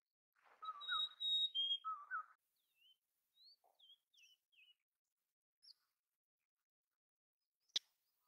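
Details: Mountain chickadee: a burst of harsh, buzzy notes with a high whistle dropping to a lower one laid over them, followed by scattered thin chips and one sharp click near the end.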